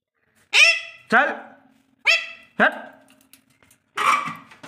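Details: Pet Alexandrine parakeet, called a hill parrot, taught to speak, giving short loud harsh calls in pairs, five bursts over about four seconds, with a person's voice urging nearby indoors.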